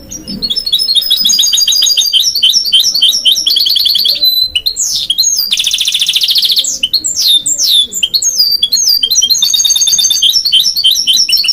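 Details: Goldfinch × canary mule singing a fast, continuous song of high twittering notes, rapid rattling trills and buzzy stretches, with sharp downslurred chirps and brief pauses between phrases.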